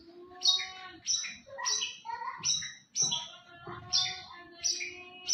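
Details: Champion contest white-rumped shama singing a rich, varied song: clear whistled notes mixed with sharp high chirps and short trills, phrases coming about once a second, with a faint low background hum.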